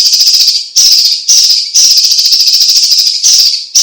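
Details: Cucak ijo cina, the Chinese leafbird, also named cucak cungkok, sings energetically for tutoring and prompting with near-continuous rasping, buzzy trills that pause only briefly now and then.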